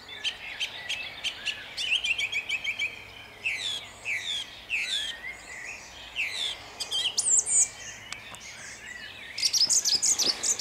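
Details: Song thrush at dawn in Jabłonna, 29 April 2021, delivering a dense stream of varied phrases: rapid repeated clicking notes, slurred whistles and scratchy figures, with other faint birds behind.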